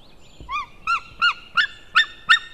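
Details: Male white-tailed eagle calling on 16 May 2016 near midday, a series of six sharp, yelping notes, each short and slightly arched, repeated about every 0.4 seconds and growing louder and harsher through the series.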